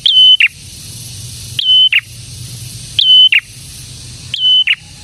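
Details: Prinia, known locally as prenjak tamu or prenjak merah, singing hard: four loud phrases about 1.4 seconds apart, each a quick rising note drawn into a steady whistle and closed with a buzzy drop.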